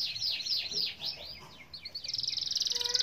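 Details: Canary song played as a lure to get silent canaries singing: fast falling whistled notes over background hiss, ending in a rapid buzzy trill.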